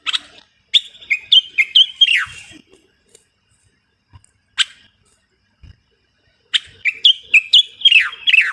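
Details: Common bulbul, Moroccan, sings two lively whistled phrases of rapid notes with descending slurs, separated by near silence broken by a single chirp and a few soft knocks.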